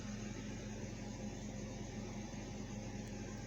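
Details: Constant fan-like mechanical hum and hiss throughout, with no animal voice heard.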